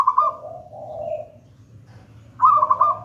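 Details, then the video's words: Zebra dove of the local gedang rojo type, singing steadily as a trapping lure and tutor song; a bubbling trilled note drops into a soft low purr, then a pause before the trill returns. "Perkutut lokal gedang rojo gacor merdu bird voice"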